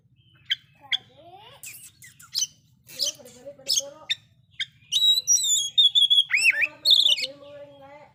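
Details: Oriental magpie-robin singing loudly with fill-in phrases said to provoke rival magpie-robins; a varied mix of clicks, upslurred notes and sustained high whistles that grows busier and louder toward the end.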